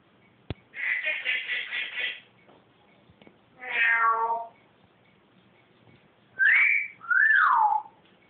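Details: Household pet bird calling the cat: a buzzy, quavering high trill, then a drawn-out descending mew-like note, ending in two clear swooping whistles that rise then fall.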